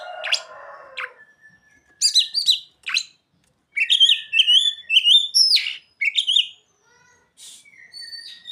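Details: Song of an Oriental magpie-robin carrying mimicked ciblek and sogon phrases: a low rough rattle at the start, then clusters of sharp chips and quick upward-flicking whistles in dense bursts.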